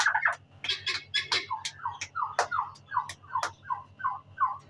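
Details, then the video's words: Turkey chicks peeping: repeated short, clear, downslurred whistles, several a second, mixed with sharper scratchy chirps, over a steady low hum. "Turkey chicks"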